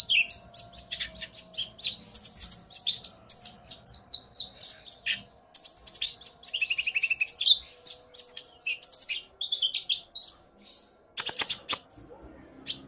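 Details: Common iora male provoked into song by a female's call, the two answering each other: dense, busy bursts of high chirps and sharp whistles pouring out almost without pause, then a brief lull before a final loud burst.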